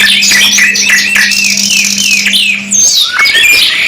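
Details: Canary from a two-in-one training song mix: high, rapid warbling with downward-slurred whistles and fast chirps, continuous and busy, over a low humming tone.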